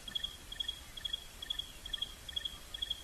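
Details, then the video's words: Stierling's wren-warbler, a shy, very chatty bird calling from the canopy at sunset in the Rietspruit Game Reserve, South African Lowveld, giving a thin, high bleating call, short notes repeated about twice a second over a low background rumble. "You can hear that bleating call."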